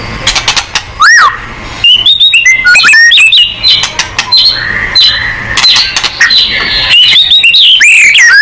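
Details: White-rumped shama singing to provoke other birds: a long, varied run of loud clear whistles, upward sweeps, stepped tones and sharp chattering notes, phrases following each other quickly with barely a pause.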